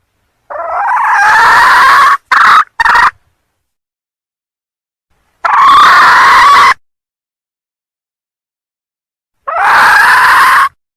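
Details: Sumatran female red junglefowl crowing to attract males: three long, strained, nasal calls several seconds apart, each held about a second, with two short clipped notes after the first. The background is silent.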